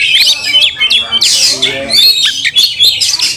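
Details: Oriental magpie-robin angrily displaying with opened tail to provoke other magpie-robins; short sharp whistled sweeps and harsh squawks in quick succession, loud and punchy, with brief dips between phrases.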